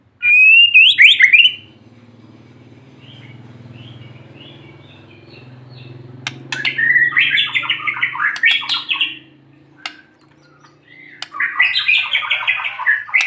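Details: White-rumped shama (murai batu) sunned in the morning, singing to prompt reluctant birds: a loud whistled phrase, a long low hum, then rapid chattering buzzy bursts separated by gaps.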